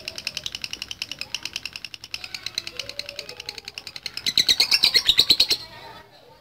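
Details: Lovebird trilling ngekek-style: a softer run of quick high pulses swells into a louder, sharper burst of rapid notes, then fades away near the end.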